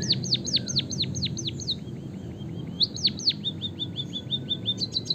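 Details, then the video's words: White-headed munia of Java singing a long rolling canary-style song for training other birds: quick downward-swept whistles, a pause of soft short rising notes, then another run of sweeping whistles and chirps. "suara burung emprit peking bondol kaji gacor isian kenari ngeroll panjang untuk masteran"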